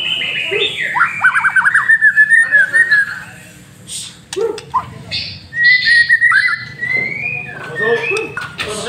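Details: Caged white-rumped shama, a master bird, singing lure song: a descending series of quick stuttered notes, then short clicks, high whistles and rising slurred phrases, low hum throughout.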